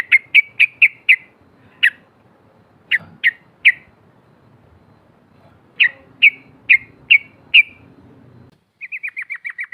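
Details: Calls of a female sooty-headed bulbul meant to draw in rival birds: bright, sharp notes in loose groups of four or five, scattered single chips, and a rapid rattling run of repeated notes at the end.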